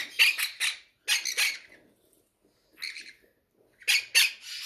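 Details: Captive parrots begging for food at feeding time give scratchy, buzzy squawks in pairs and triplets, separated by brief silences, in a quiet indoor space.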